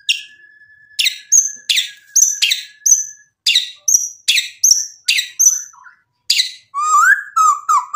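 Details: White-rumped shama in full, vigorous song, used as a lure to provoke other shamas into answering: a steady thin whistle, then sharp chipping notes repeated roughly twice a second, ending in rising and falling whistled slurs.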